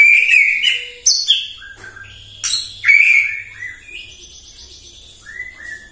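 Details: Provocative morning song of a white-rumped shama: rich, loud whistles mixed with sharp high-pitched notes and quick chips, phrases falling away into softer fluting notes, faint hum in the background.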